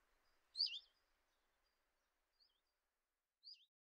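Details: Common chiffchaff calling at a kitchen window in Eibar in early March 2018: a single loud, upslurred high note near the start, followed by two fainter similar notes about a second apart, over quiet background.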